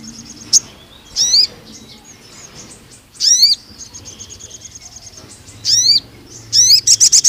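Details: Ruby-cheeked sunbird in full song, played to lure and tutor young spotted males: scattered very high, thin chirps and short rising slurred phrases between quiet pauses, ending in a quick burst of ticks.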